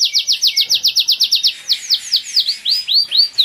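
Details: A Spanish Giboso canary kept in a cage sings a fast, even trill of about four notes per second. It then slows into broad curving whistled notes that sweep down and up.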